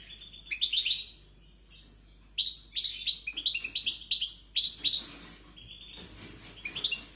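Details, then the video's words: European goldfinch singing strongly in short bursts of tinkling, rising twitters, each lasting about a second, separated by quiet gaps. "JILGUERO CANTANDO"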